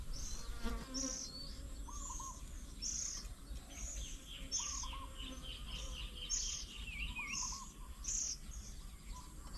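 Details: Oriental magpie-robin at a fruit-and-oats bird table in Nong Kwai, Hang Dong, 10 km south of Chiang Mai, Thailand, on 8 June 2022, adults busy feeding their young; sharp high chirps repeat about every second, with lower whistled notes and steady background hum.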